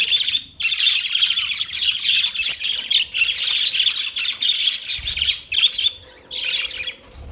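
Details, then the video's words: Parakeet chattering almost nonstop, harsh squawky high notes in long dense runs broken by short pauses, loud and close to the microphone. "Birds Parakeet Sounds Parrot Chirping Sounds"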